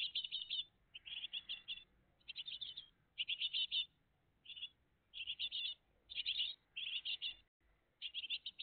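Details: Morning at a great tit nest, 20 June 2023, family present: regular bursts of shrill, rapid chirps, roughly one cluster every second, loud and clear over a quiet background.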